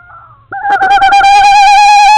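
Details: A nesting owl pair on an Estonian nest cam, thought to have three or four eggs, at 10:14 pm on 27 March 2013. An owl gives a loud, nasal, drawn-out wail: a few quick stuttered notes run into one steady tone held for nearly two seconds.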